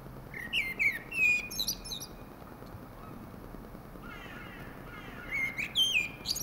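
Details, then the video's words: A thrush sings two bursts of varied, clear whistled phrases with trills, separated by a pause of about three seconds, over a faint background hiss. "Singing Thrush Song"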